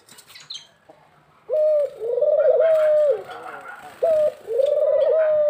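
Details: Male dove calling: smooth, hooting coos at a steady low pitch, one short note, then a longer drawn-out coo with a wavering middle, repeated after a pause.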